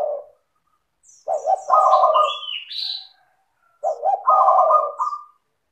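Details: Spotted dove singing clearly and rapidly, used to draw other doves into song; two full phrases of low coos capped by a rattling trill, separated by a rising high whistle and a short silence.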